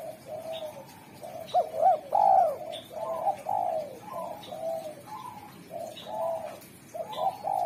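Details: Spotted dove kept as a derkuku, praised for a sharp, clear, melodious voice used to call wild doves: low mellow coos in a steady series, a loud arching phrase near two seconds, faint high chirps of other birds behind.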